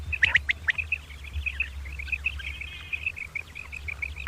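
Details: Two common quail calling at morning: a few sharp high clicks at the start, then a steady chain of short high chirps fading slightly, with a low drone underneath.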